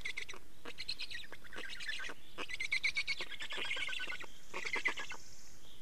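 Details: Estonian black stork nest, change-over and feeding on 24 May 2019 at 15:15: near-continuous series of quick grating, nasal-edged pulses in several runs, ending with a soft hissing sound.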